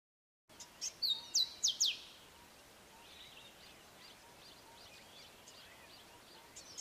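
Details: Male grey sunbird singing a short, sharp phrased song: a thin high whistle followed by three steep descending notes, over about one and a half seconds, then steady background hiss with faint distant chirps.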